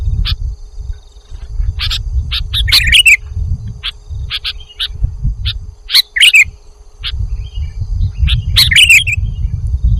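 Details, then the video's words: Lure recording of sooty-headed bulbul for trapping: short sharp chirps and bubbly warbled phrases in irregular bursts, over steady low rumbling noise and a faint constant hum. "audio pikat kutilang jawa"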